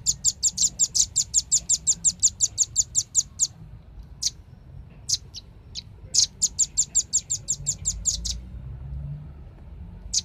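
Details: Velvet-fronted nuthatch, noisy clear-voiced lure recording used to attract birds: a fast run of about twenty sharp, high chipping notes, then scattered single chips and another rapid rattling series near the end.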